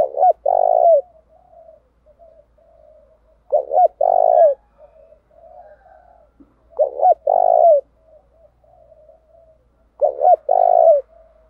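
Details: Spotted dove used as a decoy, singing in the 'thúc gù' style to draw wild doves to answer. Four phrases come roughly every three seconds. Each is a clipped two-note opening, then a drawn-out, throbbing low coo, with faint murmurs in the gaps.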